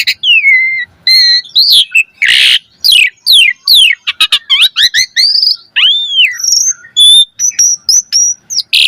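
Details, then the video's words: Asian pied starling singing in captivity as a training lure: dense mix of slurred whistles, a loud harsh rasp, rapid downward sweeps, an arched whistle and high repeated chips, with no pauses longer than a moment. "Suara Jalak Suren Gacor Full Isian Mewah Auto Bongkar Isian Pancingan Burung Jalak Agar Isian Bagus"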